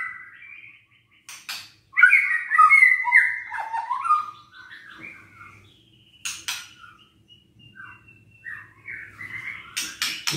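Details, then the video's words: A White-rumped shama sings to provoke lazy, quiet birds: rich warbled and whistled phrases sliding downward, sharp clicks, then softer scattered notes over a low hum. "PANCINGAN EMOSI MURAI BATU LOYO DAN MALES BUNYI"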